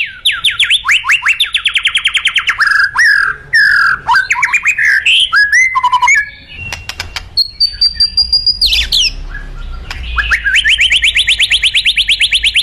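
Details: White-rumped shama singing vigorously: fast rattling trills of repeated descending notes, then varied whistles, slurred warbles and sharp clicks, a long high pure tone, and a final burst of rapid repeated notes.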